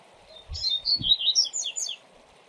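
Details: Tutor recording of a Double-collared seedeater in the 'viu viu zel zel' song style, for training young birds: one quick jumbled run of high whistled and twittering notes, about one and a half seconds long, over constant waterfall noise.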